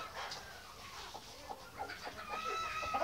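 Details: White Australorp chickens at mealtime give overlapping soft clucks and a long thin whining note against a steady, noisy background hiss.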